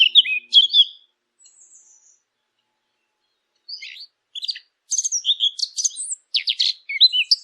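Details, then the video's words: Small bird twittering: a short burst of high slurred notes, a quiet stretch with a thin faint whistle, then louder clusters of sharp chirps and trills toward the end. "نصف ساعة من صوت العصافير الجميل ، Yarım saat kuş cıvıltısı ، Half an hour of birds chirping"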